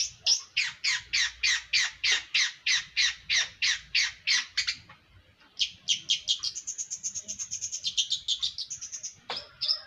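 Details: Long-tailed shrike giving a fast even series of harsh rasping notes, a short pause, then rapid high thin repeated chips ending in a squeaky note.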